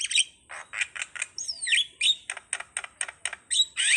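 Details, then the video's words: Starling song: a dense run of harsh, buzzy chattering bursts about every quarter second, broken by a clear whistled note that swoops down then up, ending in a scratchy warble. "suwara //burung jalak//"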